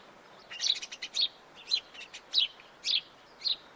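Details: Series of clear, slightly rasping chirps from a house sparrow, a fast stuttering cluster first, then evenly spaced single notes about every half second.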